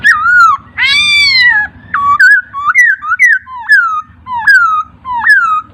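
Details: Master recording of a laughingthrush for training songbirds. The song has rich whistled phrases, a long sweeping note, then a series of upward-flicking whistles repeated about every half second.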